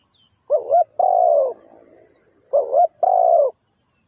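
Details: Spotted dove calling as a decoy lure for bird trapping: two low cooing phrases, each a short wavering double coo followed by a longer, drawn-out, slightly falling croo, about two seconds apart, with no other sounds.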